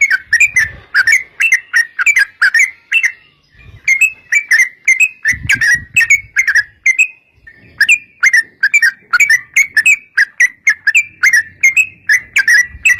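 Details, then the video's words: Yellow-vented bulbul 'ropel' lure song intended to get other bulbuls singing: an ongoing stream of short, bubbly, slightly whistled phrases in quick succession, broken by a couple of brief pauses. "trucukan gacor TARUNG ROPEL PANJANG pancingan trucukan agar bunyi jadikan burung trucuk gacor NYAUT"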